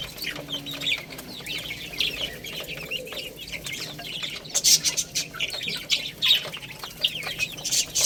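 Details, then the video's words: Chicks eating rice, with thin, high peeps coming in uneven clusters, and louder sharp clicks and taps in the second half. "Beautiful Little Chicks Chirping Sounds"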